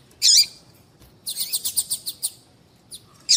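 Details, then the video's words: Female papa-capim (seedeater) calls, used to make males sing: a loud high chirp opens, then a rapid series of about eight sharp high notes, a brief faint note and a final bright chirp. "Piado de fêmea de papa capim vai deixar seu papa capim cantando"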